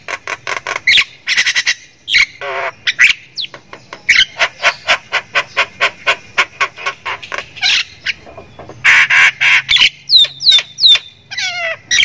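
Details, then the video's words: Javan myna of the Thailand type, a kept bird, in energetic song that can include laughing ngekek chatter: a long series of regular harsh squawks, several per second, mixed with buzzy bursts and a few high downslurred whistles near the end. "JALAK KEBO THAILAND SUPER GACOR NGEKEK ISIAN MEWAH"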